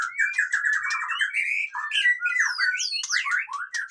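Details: White-rumped shama pouring out a loud, busy song meant to rouse lazy birds into singing: a rapid run of buzzy notes slides into rising and falling whistled phrases, sharp chirps and fast ornamented flourishes with no pauses.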